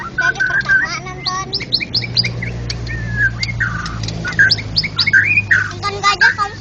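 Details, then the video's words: Champion contest white-rumped shama in full ngeplong song: a rapid run of varied whistles, slurred notes and sharp chips, almost continuous, with a faint low hum behind. "burung berkicau Murai Batu Ngeplong gacor Juara Nasional"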